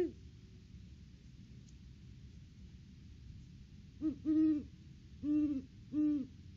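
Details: Great Horned Owls, a mated pair, duetting at a nest tree during the off-season on 3 December 2022, via live cam. Steady low hiss gives way to three strong, deep hoots spaced about a second apart.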